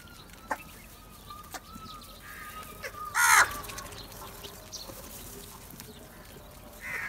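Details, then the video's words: Crows assembling for food: quiet stretch with a thin steady whistle from another bird, then one loud, rough caw past the three-second mark, with faint calls afterward. "Crow Unity For Food | Crow Sounds"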